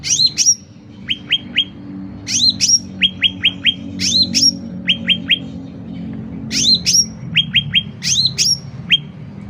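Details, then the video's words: Sooty-headed bulbul in full song, for tutoring and trapping: vigorous upward-flicking whistles alternating with short bursts of three or four crisp descending chips, repeated in regular phrases. "Suara Cucak Ranting Gacor Volume Keras"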